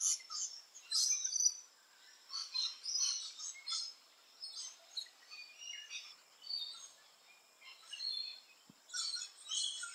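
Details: A rainbow lorikeet near its nesting hollows in Australia gives fairly soft, scratchy screeches and chirps in short groups, separated by quieter pauses.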